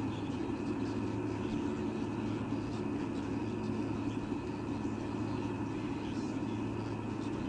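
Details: Steady low rumble and hum, like distant traffic or machinery, fills the whole stretch with no animal voice heard.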